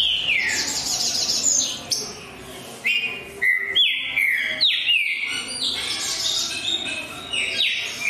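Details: A green-winged saltator delivers loud, ringing whistles, each phrase opening high and dropping sharply, given in separate bursts with brief pauses between them.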